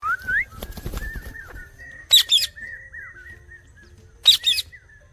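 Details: A pet talking parrot, possibly an Indian ringneck, gives a rising whistle, then two sharp, bright chirp bursts about two seconds apart over a thin, steady whistled tone.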